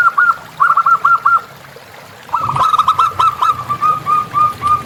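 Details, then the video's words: Local Indonesian zebra dove (perkutut) singing in the wild: a run of quick, staccato cooing notes, a short pause, then a longer rolling series of clipped notes that trails into evenly spaced coos. "Perkutut Lokal Gacor"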